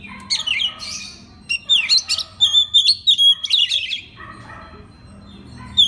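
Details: Oriental magpie-robin master song used as tutoring material so other magpie-robins sing along morning, noon and night; rich varied phrases of sharp whistles, slurred notes and buzzy chatters in quick bursts, short pauses between phrases, faint low room hum.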